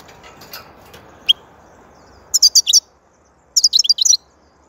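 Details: European goldfinch, called saka in Turkish, giving short bursts of high, tinkling twitters: a single note, then a rapid four-note phrase and a quick liquid trill, with quiet pauses between.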